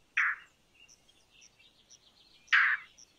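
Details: Indian roller uttering two harsh, rasping croaks about two seconds apart, against soft high-pitched chirping from other birds.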